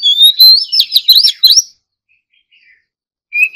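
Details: Oriental magpie-robin in morning singing practice, competition-style song: a rapid run of loud, bright whistled notes sweeping up and down, then silence and a single clear whistle at the end.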